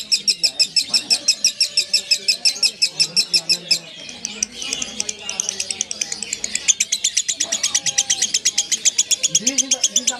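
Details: Long ngekek chatter from a lovebird: fast shrill pulses for nearly four seconds, then a noisy, broken middle section, before the rapid high chattering resumes steadily to the end.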